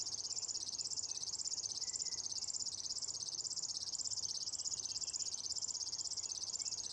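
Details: A river warbler sings in a lupin meadow at Nolby on 23 June 2021, a continuous, high, rhythmic buzzing like a sewing machine, its rapid pulses steady throughout with slight wavering in pitch.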